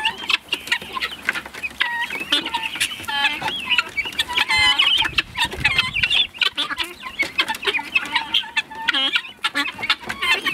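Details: Guineafowl on their first outing outdoors, a group calling almost without pause. Many birds overlap in scratchy, buzzy chatter, with sharp clicking and rattling notes repeated in quick, irregular bursts.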